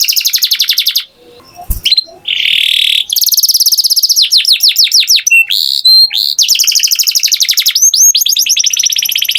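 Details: Canary song with long, dense rapid trills, a buzzy harsh passage, a brief click, then more falling sweeps and rolling high trills continuing to the end.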